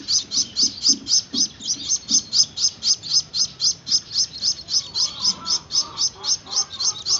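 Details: Gouldian finch chicks being hand-fed while learning to take food: rapid, high, scratchy chirps repeated about four times per second in a steady rhythm, with faint low murmurs underneath.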